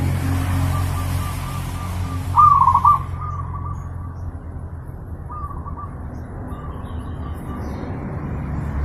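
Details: Master recording of zebra dove song for pet-bird training: one strong phrase of fast, warbling coos, with fainter cooing phrases before and after, over persistent low background noise.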